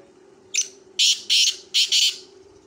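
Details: A kala teetar, or black francolin, calls: an opening rasp, then four loud buzzy notes in two pairs, delivered quickly against a low steady background hum.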